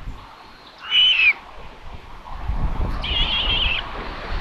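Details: Common buzzards at a live nest camera in Tiszalök, Hungary, 27 May 2022, as a parent brings a prey chick for lunch: a short high squealing call, then a longer wavering high squeal, over low rumbling wind noise.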